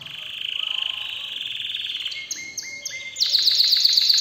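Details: Canary song from an excited canary: a buzzy sustained trill, then short repeated notes at two pitches, ending in a loud rapid series of high sweeping notes.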